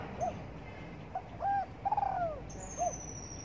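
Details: Spotted dove in morning sunshine, calling a brief coo, then a held note and a long quavering downslurred croo, ending with a short soft coo.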